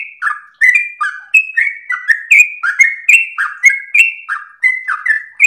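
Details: Sooty-headed bulbul (trucukan) song, used as a master recording for training and provoking other birds: rapid chain of bubbly, slurred notes alternating higher and lower, each with a sharp click at its start, delivered continuously with long breath.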